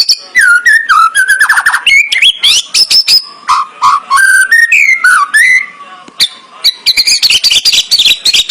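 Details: White-rumped shama in full song, loud varied whistles sliding up and down, interspersed with rapid rattling bursts and a brief pause before more high chattering phrases.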